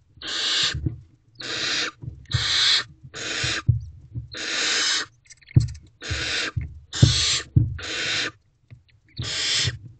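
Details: Wild barn owl owlets in a nest box at night, 4:33 am, make a series of about nine harsh hissing screeches, spaced irregularly, with soft low thumps and shuffling between them.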